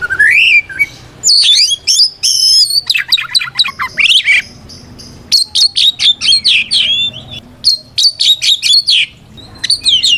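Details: Kacer (white-rumped shama) delivering a provocative fighting song to challenge other shamas: a long descending whistle opens, then rapid clusters of sharp chips, buzzy notes and high slurred whistles repeated in quick bursts.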